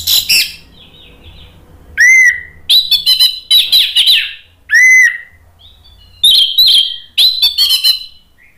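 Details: Orange-headed thrush in full ngeplong song, played to prompt other birds to reply. Loud rasping, chattering bursts alternate with clear upslurred and downslurred whistles, with brief quiet gaps between the phrases.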